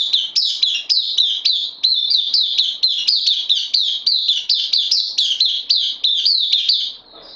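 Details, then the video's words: White-eye in captivity, newcomer on loan, recorded 12 September 2020, producing an unbroken seven-second stream of rapid, piercing high chirps in a steady rhythm, fading at the end. "Puteh Dagger new comer on loan"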